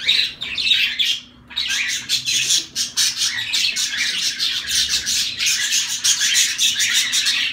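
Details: Zebra finches in chorus, a brief loud outburst of nasal beeps, a short near-silent gap, then dense rapid clicking chirps and buzzy squawks running on without break, a soft steady hum behind.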